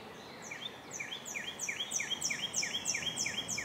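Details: American robin (Turdus migratorius) at a nest where adults feed baby birds; a fast, steady run of high, thin upswept chirps, about three a second, each rising sharply, over a quiet outdoor background.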